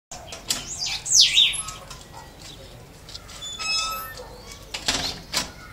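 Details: Caged green-winged saltator singing in trinca style on its first day of song, judged in fine form; a loud slurred descending whistle stands out, then scattered high thin notes and faint rustling.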